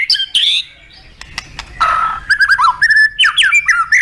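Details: White-rumped shama, a caged competition bird, singing a varied song with full filler phrases: loud whistled notes and slurred rising and falling phrases, broken by a short pause, then quick bright chirps and twisting whistles near the end.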